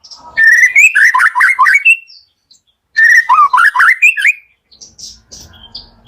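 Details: Loud morning white-rumped shama song used to draw out quiet shamas: two energetic strophes of tumbling, looping whistled notes, each about one and a half seconds long, followed by faint softer sounds.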